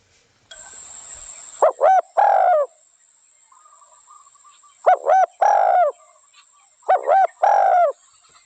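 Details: Spotted dove calling: three phrases, each two short looping coos followed by a longer drawn-out coo, separated by pauses; a brief hiss at the start and faint background birds between phrases.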